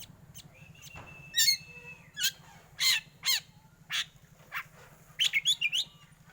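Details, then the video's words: Black magpie-robin, a competition bird at contest stands, singing 'batuk' style: spaced, loud, harsh rasping notes, then a fast cluster of four sharp high notes, over a low steady hum. "kacer hitam BATUK biasa juara di gantangan"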